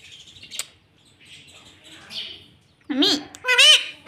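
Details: Caged ringneck parrot kept as a pet speaking "mummy" at the end of the clip, two quick harmonic syllables after soft background murmurs and faint household noise.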